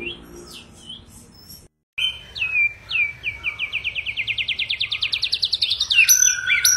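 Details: Aggressive white-rumped shama song used to provoke other birds to sing and fight: after a short gap, a rapid series of about twenty sharp upward-sweeping whistled notes speeds up, then ends in complex high chatter.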